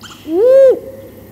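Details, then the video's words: A female Great Grey Owl gives a single soft, hollow whoop contact call that rises and then holds steady for half a second before breaking off, over a quiet background. "Owl, Great Gray Female contact call"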